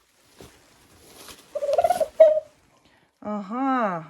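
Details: Domestic turkey hen calling the male in winter, kept near the coop; a person speaks first, then a loud harmonic rising-and-falling call near the end, with a hoarse yelp just before.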